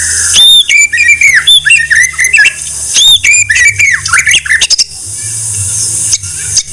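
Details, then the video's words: White-rumped shama (murai batu) masteran song: loud harsh squawky notes mixed with sliding whistled phrases in two bursts, followed by a stretch of hissing noise with faint clicks. "Masteran MURAI BATU"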